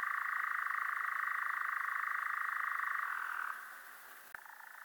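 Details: Steady, fast-pulsed churring of a European Nightjar, a sustained wooden trill lasting about three and a half seconds. It then fades to a quieter churr, with one brief click near the end.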